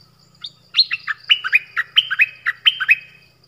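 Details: Song of a dok taeng bird performing many phrases: a lively string of high chirps alternating between an upper and a lower note, about a dozen in three seconds, with a faint low hum behind.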